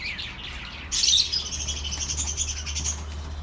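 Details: Pet bird chirping for lonely birds: quiet twitter, then a sudden loud burst of high whistled chirps at one second, followed by sustained warbling chatter over a low steady hum.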